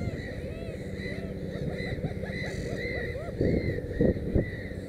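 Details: Black-headed gull at the nest with three chicks: a rhythmic series of harsh, bowed calls, about three per second, with lower grunting notes and a few sharp knocks near the end.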